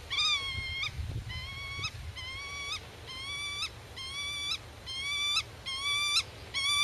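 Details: Black-tailed godwit defending its territory and nest, calling to chicks hidden in the grass; rapid series of nasal, slightly rising calls, about one per second, steady and insistent, with low rumbling noise beneath.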